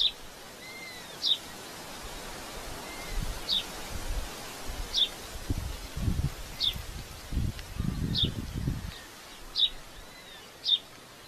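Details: Red-footed falcon at a nest in Polgár, Hungary, 2024 breeding season, giving sharp, high single notes about every one to two seconds, with faint lower whistles, gusts of wind and leaf rustle.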